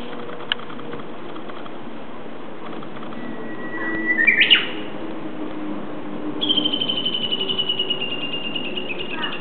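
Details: Japanese bush warbler singing unseen near the mountains of Kobe, Japan, at the start of the 2012 rainy season. A steady held whistle swells into a quick warbled flourish, then a long run of rapid, evenly repeated high notes trails away over low background hum.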